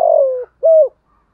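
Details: Spotted dove cooing to stir other doves: one long mellow descending coo and a short arched hoot after a brief pause, otherwise quiet.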